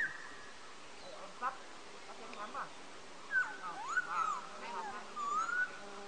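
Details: A black-throated laughingthrush, recorded 14 August 2015, gives clear, mid-pitched whistles that swoop up and down, mixed with short nasal, whining notes, over steady background hiss.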